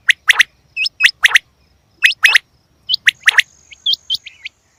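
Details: Female quail giving crisp, explosive paired chirps roughly once a second, then softer short hooked whistles trailing off.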